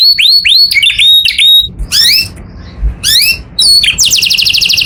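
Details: Canary song in the morning, broken into short bursts: repeated rising whistles, brief pauses, then bright slurred notes ending in a fast buzzy trill.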